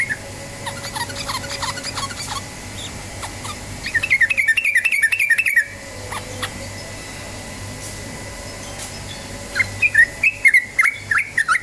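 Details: Rapid ropel song of the yellow-vented bulbul, used as a lure to start other birds singing: soft scattered notes, then a loud burst of quick bubbling chatter, a quiet gap, and a shorter final burst.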